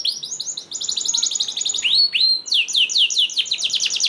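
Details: Canary song meant to encourage other canaries to sing: a tight rattling trill, two long upswept whistles, then quick repeated falling notes.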